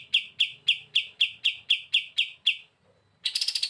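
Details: Pied triller in active song, used as a training master: about ten crisp, evenly spaced high chips, roughly four per second, then a brief silence and the start of a faster, buzzier burst.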